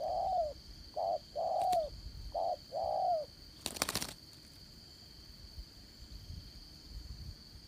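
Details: Decoy spotted dove used for trapping, singing in the 'Đồng Son' style: five mellow coos alternating short and long, followed by a sharp rattling knock and then near silence.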